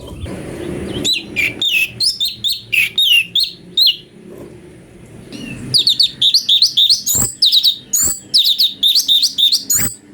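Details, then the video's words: Ashy bulbul song used as a master for magpie-robins: rapid, ringing whistled notes dropping in pitch, a first phrase then a denser, higher sequence after a pause, over faint low background hum. "CUCAK CUNGKO||fariasi suara cungko buat masteran murai"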